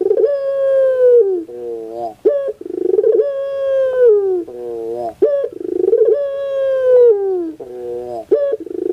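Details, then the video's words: Pelung-style cooing of a Barbary dove, used as a lure to prompt a reluctant dove to sing: long drawn coos sliding slightly downward, each followed by shorter lower stepped notes and a sharp upward flick, repeating about every three seconds. "Pancingan Suara Untuk Puter Pelung Yang Malas Berbunyi"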